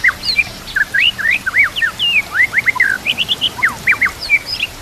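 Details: Song of a White-rumped shama over nature sounds and trickling water, a training recording for shamas: quick sequence of steep rising and falling slurred whistles, loud and varied, with brief gaps between notes.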